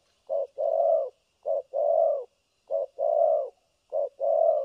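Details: Spotted dove kept as a trapping decoy, cooing without pause in the thổ cấn sấm nước manner: short low note then a longer rounded coo, four evenly spaced pairs about a second apart.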